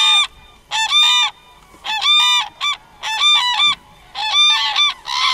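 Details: Common cranes trumpeting: a rapid series of loud, overlapping bugling calls, each rich in harmonics, repeated in clusters nearly once per second with short silent gaps.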